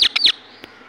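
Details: Indian ringneck parakeet giving three rapid, piercing, high chirps in under half a second, then quiet.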